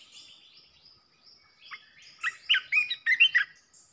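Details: Red-whiskered bulbul decoy song meant to stir up other bulbuls: soft chatter, then a loud burst of five or six quick, fluty warbled notes, with faint high twitters behind.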